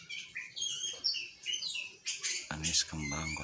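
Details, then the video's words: Orange-headed thrush singing: varied high whistled and chirping phrases in quick bursts, later mixed with harsher buzzy notes, recorded indoors. "Anis kembang kolset"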